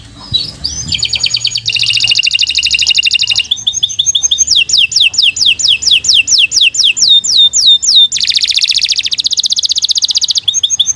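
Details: Energetic canary song suited to masteran training of other birds, mixing dense buzzy trills, chattering rolls and runs of quick downward-slurred whistles, with a brief break before another buzzing trill.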